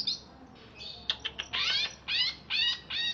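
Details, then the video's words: Greater green leafbird from Alas Purwo, Banyuwangi, caged in Jatiasih, Bekasi, singing right after a bath. Quick clipped chips give way to a run of loud, harmonic, downslurred notes about every half second. "Cucak Ijo Alas Purwo Banyuwangi Crewet"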